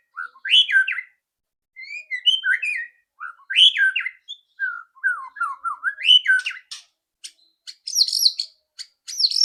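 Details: White-rumped shama song played as a lure to make another bird sing quickly: rich whistled phrases rising and falling, short slurred notes in quick runs, ending in loud buzzy rattling bursts of high chatter.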